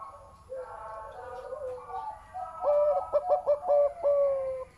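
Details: Zebra dove, noted for a big, deep voice, singing: low tonal coos with soft harmonics, then a quick run of short stuttering notes that ends in a longer drawn-out coo. A faint murmur sits in the background.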